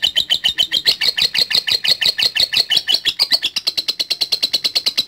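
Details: Lovebird latah gacor song, used to provoke rivals in songbird contests: rapid, slightly squeaky high chatter notes in even pulses, turning more uniform and clipped in the last seconds.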